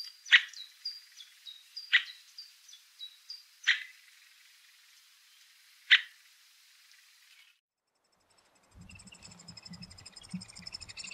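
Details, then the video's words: A three-toed woodpecker (Picoides tridactylus) gives sharp single 'pik' calls roughly every two seconds, with thin high whistles from another bird, then a stretch of low rumbling noise. "Three-toed Woodpecker - Sounds"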